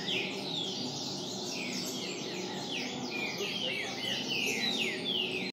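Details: Green-winged saltator singing: dense, continuous run of quick whistled and chirping notes with rising and falling sweeps, phrases overlapping almost without pause, over a steady low background hum.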